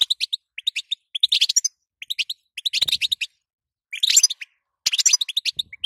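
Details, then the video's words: Calls of a female European goldfinch used to get a male singing: crisp, high chirps in spaced pairs and threes, building into twittering bursts, about six groups. "ستسته وبتبته تخلي حسونك نار"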